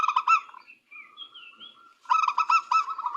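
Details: Local zebra dove: quick pulsed low cooing, then a drawn-out soft note under sliding whistles of another bird, before a fresh burst of rapid trilled coos.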